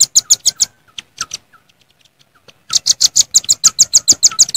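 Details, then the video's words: Calling rivals, wild velvet-fronted nuthatches in nature: fast volleys of piercing high chits, then scattered softer ticks in a lull, then another long rapid, even series of loud sharp notes. "Suara Pikat Rambatan Paruh Merah"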